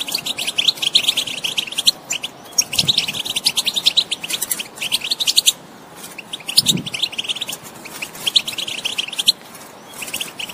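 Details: European goldfinch singing, used to prompt a silent bird into song: liquid twittering phrases of quick high notes, broken by brief pauses around the middle and end, with faint low thumps.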